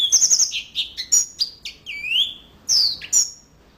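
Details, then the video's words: Yellow-fronted canary opening with a fast rattling trill, then separate chirps, a flat whistle and a rising slurred note, ending with two bright high whistles. "Mozambik Gacor Full"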